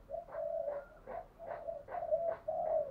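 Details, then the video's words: Caged decoy spotted dove cooing to provoke wild doves into a fight: soft, low, hollow coos repeated steadily about every half second over faint background hiss. "Chim Cu Mồi Thúc Đấu, tiếng gáy hạp bổi, bổi nghe gáy"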